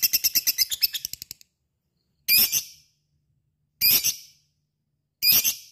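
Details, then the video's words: A lovebird's rapid ngekek rattle breaks off, followed by three loud, sharp, buzzy chips about one and a half seconds apart; fighter and gacor singing meant to lure other lovebirds into joining. "Sekali denger LOVE BIRD akan trpancing untuk ikut ngekek fighter dan gacor"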